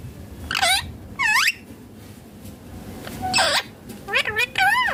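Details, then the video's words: Green rose-ringed parakeet while eating: two harsh arched squawks, a pause with background murmur, then a louder squawk and a quick pair of chattering, wavering calls. "Ringneck green parrot natural sounds talking eating foods"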